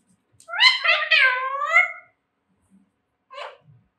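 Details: Indoor pet Alexandrine parrot being trained to speak Jai Shri Ram and Mithu Bete utters a loud run of harsh, rapidly stepping harmonic syllables for about one and a half seconds, followed after a pause by a short rough note.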